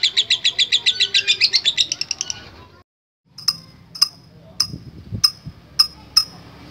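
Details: Lovebird giving a long trilling song: a fast run of high, evenly pulsed notes for about two seconds, then a pause and a series of sharp, separate high chips spaced roughly half a second apart, with low background rumble.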